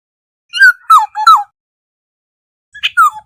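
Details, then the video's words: A Black-hooded oriole's call to the flock, played as a lure: a run of three looping, downward-curving fluty whistles, then after a pause a shorter two-note phrase beginning with a sharp high note. "Tiếng chim Vàng anh đầu đen mồi gọi bầy chuẩn mp3 | Black-hooded Oriole call sound"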